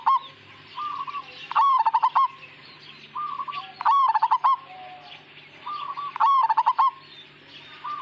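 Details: Majapahit-type zebra dove singing steadily in a lively, rolling style: each phrase opens with a soft hummed note, then a burst of rapid staccato coos. Phrases repeat about every two and a half seconds over a faint low background hum.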